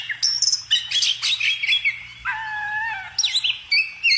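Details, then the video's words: Singing bird mixing chattering high notes with a held, lower whistled tone near the middle, then returning to quick squeaky phrases. "kicau burung"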